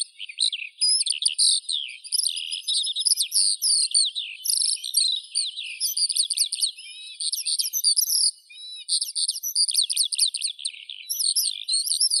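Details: Eurasian skylark sings at length, a breathless cascade of high trills, chirps and warbles, nearly unbroken throughout, with no other noise.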